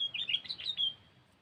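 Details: Kutilang, or sooty-headed bulbul, used to lure other birds: one brief, fluty warbled phrase ending in a clear drawn-out whistle over a soft low hum.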